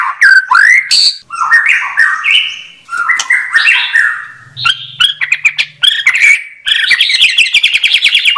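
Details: Clear song of a white-rumped shama, mixing rich warbled phrases, squeaky upslurs and sharp chips, ending in a rapid buzzy trill; a brief low hum sounds midway.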